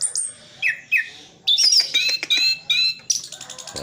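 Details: Orange-headed thrush, anis kembang, singing a full isian song with mimicked phrases: a few separate whistled notes, then a fast rich run of high whistles, chips and trills.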